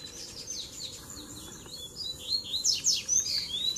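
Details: Double-collared seedeater song mix of tui tui, zel zel and mateiro styles for warming up other birds: soft high twittering that builds into louder, sharp rapid notes and thin whistles toward the end.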